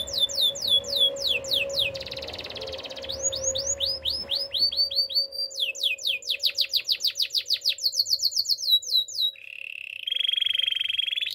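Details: Spanish Timbrado canary singing a training song: rapid repeated high descending whistled notes in trilled rolls, shifting to buzzy metallic rattles and a steady sustained trill, with a low constant hum beneath.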